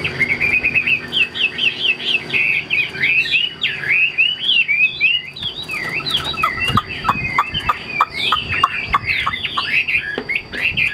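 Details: Caged Chinese hwamei delivering rich whistled song. Quick warbled phrases open the run, then give way to a stuttering series of short sharp notes and fresh twisting whistles, with faint clicks behind.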